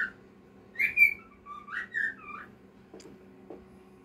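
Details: Pet cockatiel song: clear whistled notes sliding up and down in a short melodic phrase, followed by two faint clicks in a quiet room.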